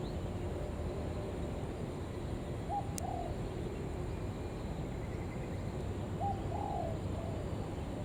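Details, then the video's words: Spotted dove kept as a lure to call in other doves, uttering two short mellow cooing phrases several seconds apart, with one sharp click between them and steady low background noise. "Tiếng Chim Cu Gáy Gọi Thúc Kèm"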